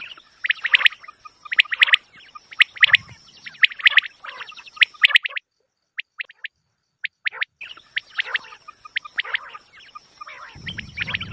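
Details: Quail sound meant for hunting: dense runs of sharp chirps and trills repeating roughly every second, a short silent gap midway, then renewed calling with a low rumble at the close.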